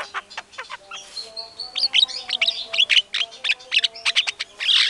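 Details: Energetic white-rumped shama (murai batu) song played as a provoking lure so that other shamas respond; a fast run of sharp whistled notes and clipped chips, a loud buzzy flourish at the end, steady low hum in background.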